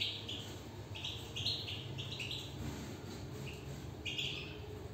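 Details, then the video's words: European goldfinch singing inside a cage. Short bright twittering notes come in quick clusters, some rising, with a brief pause before a final burst. A low steady hum runs underneath. "انسجام و تغاريد للحسون"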